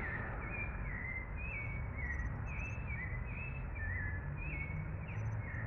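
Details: In São Paulo at 04:19 before dawn on 9 October 2021, a bird sings a run of short, clear whistled phrases, slurred up and down, repeated steadily over a heavy low rumble of city noise.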